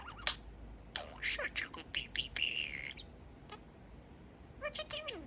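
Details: Male pet budgerigar chatters and repeats a favourite phrase, changed from 'Peeka-boo' to 'Peek-e-boo'. A run of rapid chirps and buzzy warbles comes first, then a quiet gap and a closing burst of squeaky falling notes.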